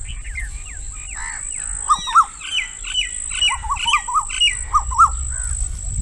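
A female Asian koel gives a rapid, shrill bubbling series of sharp kik notes, about four a second, over a steady high thin whine.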